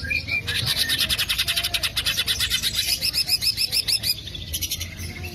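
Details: Green leafbird lure song: a dense run of rapidly repeated high, bright notes lasting about four seconds, pulsing several times per second, ending with a few chirps and a brief pause.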